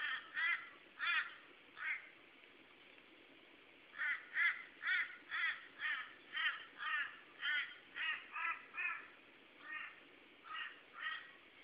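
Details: Torresian crows calling to each other, 8 February 2012: harsh, nasal caws in quick runs of short notes, about two a second with brief pauses, over faint background hiss.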